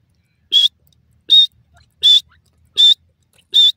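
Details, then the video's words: Grey francolin (white titer) calling in forest in Punjab, Pakistan: five loud, sharp, high-pitched notes, evenly repeated about every three-quarters of a second, with a quiet, clean background. "white titer francolin bird in the forest,love bird pheasant sound"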